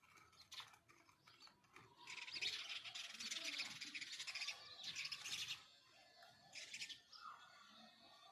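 House sparrow chirping in dense, rapid bursts of bright, harsh notes, several birds overlapping, with quieter pauses between.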